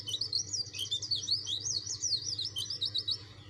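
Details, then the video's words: Dakun-type white-eye in rival-challenging song: an unbroken, very fast stream of high, sharply rising and falling twitters lasting several seconds, with a faint low hum behind. "PLECI DAKUN NGOTOT CARI LAWAN.!!"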